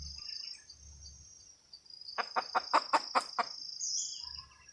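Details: Red junglefowl hen cackle heard quietly: after a near-silent start, a brief burst of about seven quick, clipped clucks, then the sound fades back to a low background hum.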